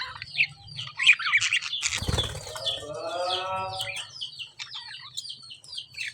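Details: Lovebird chirping, high rapid twitters broken by a burst of wing flapping, then a lower, nasal, buzzy call, with constant chirps from other birds behind.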